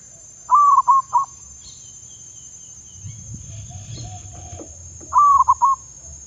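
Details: Decoy zebra dove under training in Thailand sings two brief phrases of three clipped mellow coos, with faint rustling and a thin high whistle in the gap between.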